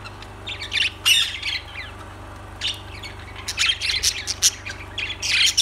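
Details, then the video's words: Harsh, scratchy lovebird squawks come in short bursts separated by quieter gaps, with a faint low hum running throughout. "Lovebirds Sounds Birds Singing Birds Sounds"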